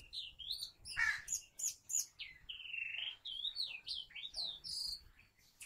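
Brown rock chat giving a rapid series of sweet, slurred whistles and chirps, mostly high-pitched, some swooping down and rising, with a few harsher notes.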